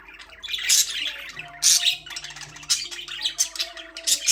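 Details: Pet budgerigars in a cage give scattered, sharp high chirps and squawks spaced irregularly, about one a second, over a soft continuous low hum.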